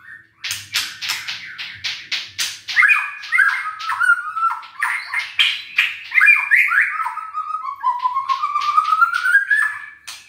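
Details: White-rumped shama in full song, used to rouse lazy birds that will not sing: a rapid run of harsh clicks and chattering notes flowing into varied whistled phrases, ending in a long rising whistled glide.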